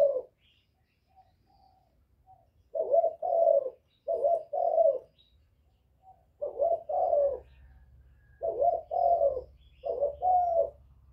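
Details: A young spotted dove gives soft, hollow coos in short phrased bursts with bowing coos, a calling song meant to provoke other doves.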